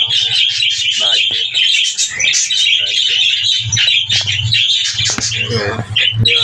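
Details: Several captive breeder budgerigars kept with parakeets chatter in a dense, continuous warble of rapid chirps and trills, broken by short gaps, over a faint low hum.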